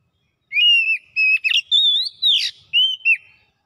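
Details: Oriental magpie-robin (kacer) singing quick gacor song with imitations: level whistles, a rising whistle into a harsh, noisy downslur, then arched whistled notes ending the phrase.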